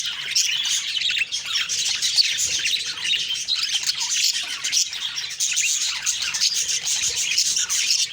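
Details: Budgerigar flock chattering on the morning of October 2, 2023: steady, high, warbling chirps overlapping without pause for eight seconds.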